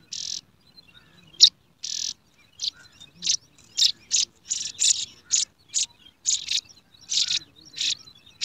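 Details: Yellow sparrow nestlings in a garden nest begging as they are fed, producing a steady run of rough, raspy hissing bursts, roughly two each second, rising into an insistent rhythmic chorus.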